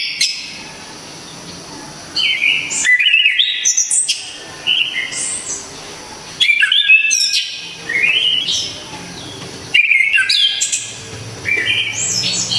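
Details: Loud, sharp, clear song of an Orange-headed thrush, a Javanese songbird prized for tutoring other birds; four separate bursts of varied whistles, trills and squeaky high notes, each about two seconds long, with short pauses between.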